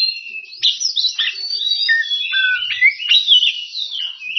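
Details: An Oriental magpie-robin sings to challenge rivals. The song is unbroken, high and varied, with sliding whistles, chattering notes and sharp downward strokes.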